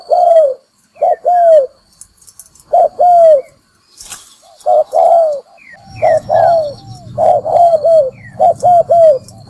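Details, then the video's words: Spotted dove decoy call for trappers: deep coos in pairs, a falling tail on each, a short gap, then faster clustered coos over a low rumbling hum in the second half, high faint whistles throughout. "Tiếng chim cu gáy mồi kích bổi đá lụp"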